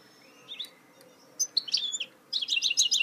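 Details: Goldfinch hybrid (mule) singing in 2018: short high whistled notes and a slurred falling phrase, then a rapid run of bright twittering chirps toward the end over a faint low hum.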